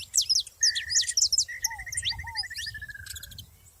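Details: Saffron finches singing together in nature: loud high chirps and quick up-and-down slurs, with a long even trill of rapid beads running beneath, a few low descending whistles, and a soft low background hum.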